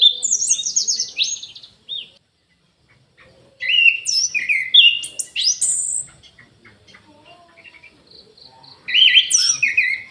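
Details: Orange-headed thrush singing in an aviary: several loud, fast bursts of varied high whistles and chatters, with a pause, a short run of evenly spaced pure notes, then another energetic burst.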